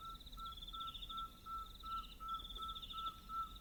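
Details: Pearl-spotted owlets, a pair calling at night in the African bush of Northern Tuli Game Reserve, Botswana: a steady series of clear, evenly spaced piping whistles, about three per second, over a constant high insect chorus.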